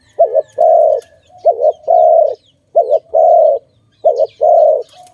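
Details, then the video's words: Dove cooing in a bird-trapping setting. A short, bumpy note is followed by a long, steady, mellow coo, and the pair repeats three times over five seconds, with faint high chirps in the background. "Sound of good dove for letting altogether"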